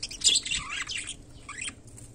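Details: Budgerigar during daily life making a brief burst of bright chirps: a harsh note first, then bending whistled notes that slide down and up, with a low hum behind.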